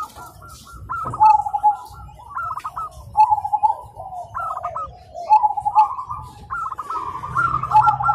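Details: Zebra doves (perkutut) singing back and forth in the morning: overlapping rapid stuttering coos, two voices at slightly different pitches, phrases roughly every two seconds, with faint low background noise.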